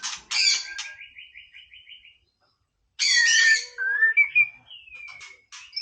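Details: White-rumped shama singing playfully: a burst of harsh chattering notes, then a fast repeated trill of about a dozen even notes, a pause, and a rich run of whistled, sliding phrases.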